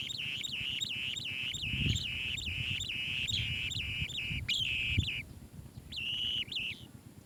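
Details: Asian green bee-eater chick in its nest cave, giving a steady series of buzzy, slightly descending trilled notes about every half second, a brief pause, then a short final burst; low rumble underneath.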